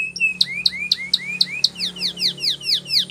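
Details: Canary in training song, possibly Spanish Timbrado style, delivering a rapid series of rising whistled slurs about four per second, shifting to sharper descending notes near the end.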